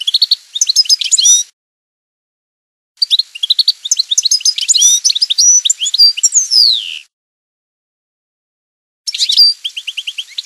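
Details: European goldfinch giving campero song: dense, liquid twittering phrases in three bursts, the long middle phrase running through varied chirps and ending in a descending slurred note, with silent gaps between phrases.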